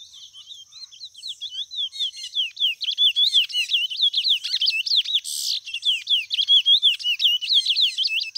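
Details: Continuous song from a white mutation chestnut-bellied seed finch: dense, high, fluid whistles with quick up-and-down slurs, growing louder and busier after the first seconds, one brief noisy burst midway.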